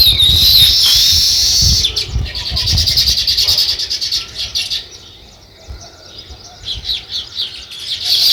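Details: Sparrows starting to build a nest, giving a burst of busy high chirping that fades to quieter, scattered chirps, then picks up again near the end.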